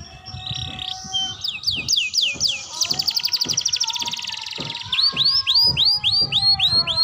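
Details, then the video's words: Young canary learning to sing: swooping whistled notes run into a fast even trill, then loud repeated downslurred whistles, with a steady lower whistled tone in the background. "Suara Kenari Muda Belajar Bunyi"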